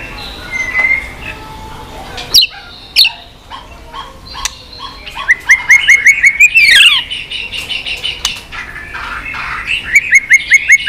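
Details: White-rumped shama clicking continuously, played to stimulate weak-spirited shamas; a soft whistle, loud isolated clicks, then rapid series of short rising whistled notes repeated several times per second.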